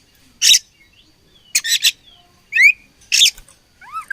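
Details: Oriental magpie-robin during a fight, giving short harsh broadband chatters near 0.5, 1.7 and 3.2 seconds, mixed with clear whistled notes that rise and fall, one slurred pair near the end.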